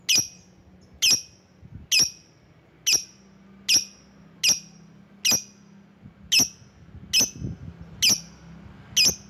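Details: Lovebird calling to draw rivals: sharp, high squeaky chirps, each with a bright burst, repeated steadily about once a second, eleven in all over a faint low hum.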